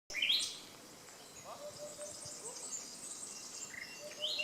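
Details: Nightingales singing by the Canal du Midi near Le Somail, Languedoc, France: loud, rich phrases, a sharp whistled burst, quieter varied warbling, then another bright rapid flourish, over faint background hiss.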